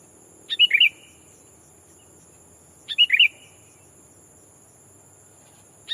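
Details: Sooty-headed bulbul used as a lure bird, calling a rival to draw wild bulbuls: short bubbly phrases of three or four liquid notes, sliding downward, repeated about every two and a half seconds over a faint steady high hum.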